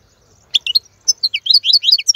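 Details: Wild male European goldfinch singing for young birds to learn: after a quiet start, bright liquid twitters that quicken into a tumbling run of varied chirps.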